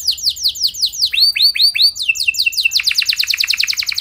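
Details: Canary singing in loud, continuous song meant to prompt other canaries to answer: rapid repeated rolls of downslurred whistled notes, changing to a slower run of arched notes, then fast high trills, with a faint low hum beneath.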